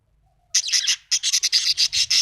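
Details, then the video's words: Happy budgie delivering a rapid, loud run of harsh, scratchy chirps, about a dozen in two seconds after a short silence. "Happy budgie chirping sound"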